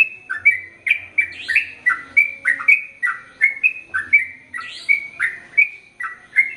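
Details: Energetic Sooty-headed bulbul singing in long continuous runs, used as a tutor for both sexes: quick bubbly chirps that flick up and fall, repeated steadily roughly every second or faster, occasional higher squeaky accents, background otherwise quiet.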